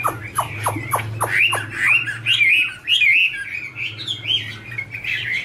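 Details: Chinese hwamei, female singing with a male behind: opens with five sharp downward-sweeping notes about every quarter second, then flows into looping whistled warbles and trills; low steady hum throughout.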